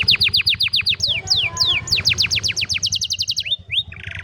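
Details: An old canary sings in the afternoon, rolling out quick repeated downslurred chirps in varied runs, ending in a short buzzy trill, with a faint low hum behind.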